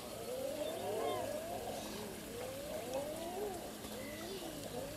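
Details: A flock of Common Eiders gives many overlapping low, moaning coos that rise then fall, calling almost constantly with several birds at once.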